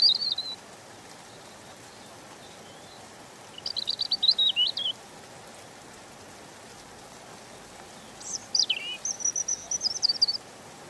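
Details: European robin song: three separate high, thin, tumbling phrases, the first one brief, the middle one a rapid trill, and the last one sliding down and then holding high, with long quiet pauses between them over a soft hiss.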